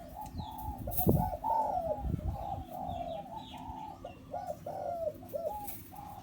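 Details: Caged zebra dove, a four-year-old crossbred decoy bird kept for pen trapping, giving rapid rolling coos in quick, bubbling bursts, with a few thumps and faint rustling in the background.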